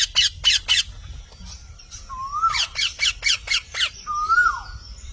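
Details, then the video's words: Several sharp squawks from a parrot, then a steady chattering series with two clear, rising-then-falling whistles. "Mithu Tote Ki Awaaz"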